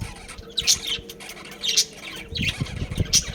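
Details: Budgerigars kept as a breeding family group give short bursts of scratchy, high chirps roughly every half second to second, separated by quieter gaps with faint low rustling.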